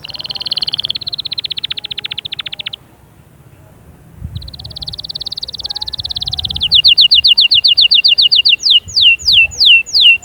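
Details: Canary singing to stimulate young birds to sing and ready females: a fast buzzy trill, a short pause, another rapid rolling trill, then crisp repeated whistles and descending slurred notes in quick succession.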